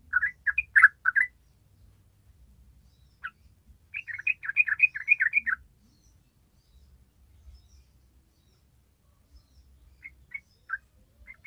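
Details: Yellow-vented bulbul in 'gacor ropel' song: bursts of fast bubbly chattering notes separated by pauses, with a few softer scattered chirps near the end.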